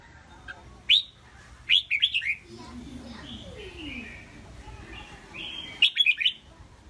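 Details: Pet red-whiskered bulbul trained for singing contests, with sharp rising chirps and brief rolling bursts of three or four lilting whistled notes, separated by quieter pauses with faint descending background calls.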